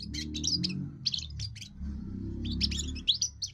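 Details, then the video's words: Young European goldfinch singing its first song to claim territory and draw females: fast tinkling chirps and trills in bursts over a constant low droning, tonal background sound. "first song of a young goldfinch amazing wonderful singing"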